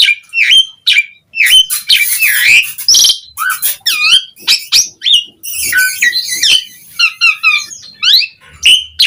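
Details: Varied Asian pied starling song meant to lure other starlings to answer, mixing whistled notes, harsh grating chatter, squeaks and a rattling stutter of short notes.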